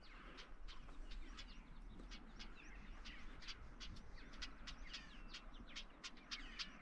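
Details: Female northern wheatear with her brood near Odin's Mine, Castleton, on an evening walk, gives hard, clicking 'chack' notes several times a second like stones knocked together, over a steady low rumble of wind.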